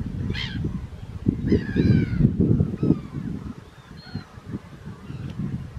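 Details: Second-calendar-year Mediterranean gull on Vlieland, Netherlands, 24 August 2024, giving a short burst of nasal, harmonic, arching calls, plus a few fainter distant calls over strong low wind rumble.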